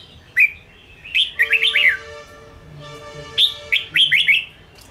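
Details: Red-whiskered bulbul, Ché style, used to train caged bulbuls: a lone sharp chirp, then fast runs of slurred whistled notes twice, with a faint sustained tonal hum underneath.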